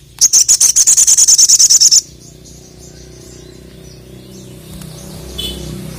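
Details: Challenging a rival, a crested jay kept as a songbird gives its ngkleper rattle: about thirteen loud, evenly spaced high clicks in under two seconds, followed by near silence with a faint chirp.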